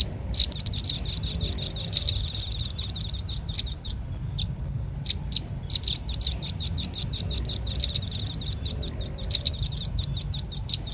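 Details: Shrill, rapid chipping of the Velvet-fronted nuthatch, used to lure birds: a long dense trill, a brief break with a few lone notes, then steady fast chips continuing to the end.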